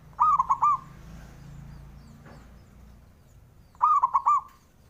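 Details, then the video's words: Zebra dove, male, singing to make rival males respond: two similar phrases of four quick mellow notes, roughly three and a half seconds apart, over a faint low background rumble. "SUARANYA🔊 LAGI BANYAK DI CARI UNTUK PENDOBRAK LAWAN JADI EMOSI! BIKIN NYAUT"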